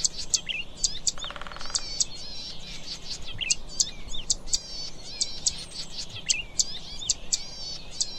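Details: Zitting cisticola, also called streaked fantail warbler, giving sharp high clicks and repeated buzzy phrases over a busy background of other birds and a brief insect-like buzz.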